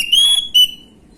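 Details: Young orange-headed thrush singing in the gamblingan style as a lure: a brief pair of clear high whistles, the first held and level, the second shorter and dropping away.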